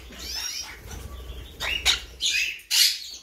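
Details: Blue mutation monk parakeet giving harsh, grating squawks that grow louder and come in bursts roughly every half second, with a faint low rumble underneath.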